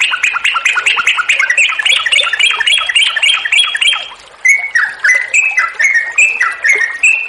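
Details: Yellow-vented bulbul in sustained song used to draw other bulbuls into singing: a dense rapid chatter for four seconds, a short pause, then clearer spaced phrases of sliding notes.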